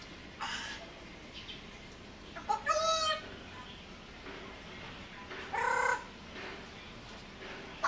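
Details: Pet African grey parrot talking and dancing while asking for food: two short bursts of harmonic, voice-like calls with rising and falling tones, separated by several seconds of quiet room noise, with a faint human voice.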